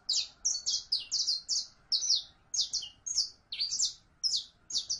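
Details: Saffron finch song: a steady stream of sharp, high-pitched chirped notes, often paired or tripled, delivered in rapid succession with short gaps, over a quiet background.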